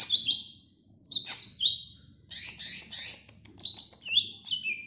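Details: Bright chattering song of a greater green leafbird, with scratchy high whistles and sliding notes delivered in three lively bursts.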